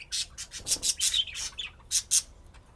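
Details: Pet budgerigars chirping while at play, tagged Austin, Texas: a dense run of bright, scratchy high chirps and warbling squeaks, tumbling rapidly over one another in uneven bursts with brief gaps.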